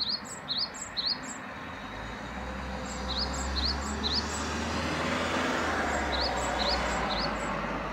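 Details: Great tit giving high, thin paired notes, a short rising note then a higher one, repeated in phrases of about three, over steady low traffic rumble.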